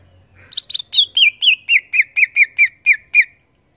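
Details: Series of twelve bright, descending whistled notes from a greater green leafbird in 'gacor ngeplong' song, opening higher and settling lower, evenly paced with a brief soft hum before.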